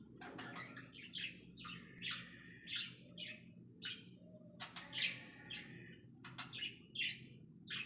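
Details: Cockatiel calls: a series of short, harsh, rising chirps and squawks repeated every half-second to a second, mixed with brief clicking sounds over a low background hum.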